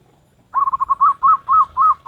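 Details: Wild local zebra dove performing in the Salendro rhythm style: a burst of rapid, mellow staccato coos that then settles into evenly spaced rounded notes, about four per second, with a clean quiet background.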